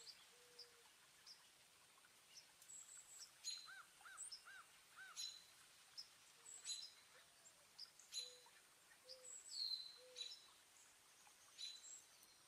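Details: Several wild birds calling in a New Jersey garden on a partly cloudy day in early April 2024, the day a 4.8 magnitude earthquake struck: thin, high chirps and brief tweets, spaced irregularly. Soft low tones and faint outdoor background noise accompany them.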